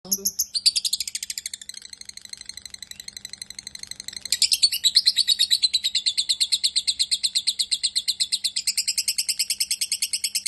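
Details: Lovebird, tagged as a fighter bird, delivering a long, fast chattering song of sharp high notes, about three per second, louder and denser after a brief pause near the fourth second.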